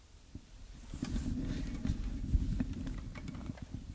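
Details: A woodpecker first labelled Japanese pygmy woodpecker, later corrected to a female white-backed woodpecker, pecks a beech while feeding near a tower camera in Chichibu forest on 28 January 2005. It gives soft, dull, irregular taps, about four a second, over low rumble.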